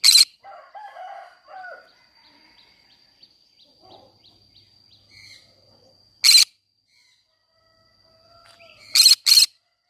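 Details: Green-cheeked conure in a flower garden: occasional short, harsh screeches at the start, middle and end, the last a quick double. Softer chattering, other bird notes and a steady high hum fill the gaps.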